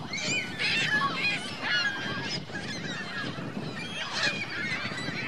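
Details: A group of geese with goslings on Virginia Lake, Reno, keeps up a steady clamour of harsh, overlapping honks, swelling in several loud bursts over low background rumble.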